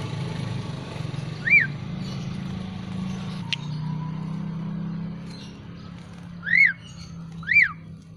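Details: Javan pied starling kept caged, just bathed and put out to dry in the sun, sounding three clear arched whistles, one early and a quick pair near the end, over a steady low rumbling background and one sharp click.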